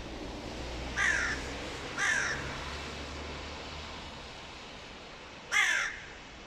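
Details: Female hooded crow, mate of the dominant boss crow, urging punishment of a young crow with three rasping caws, two close together and a third after a pause of several seconds.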